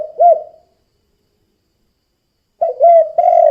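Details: Spotted dove 'kuk 2' call used as a lure for other doves. A single rounded coo is followed by silence, then the start of another phrase of low hollow coos, cut off at the end.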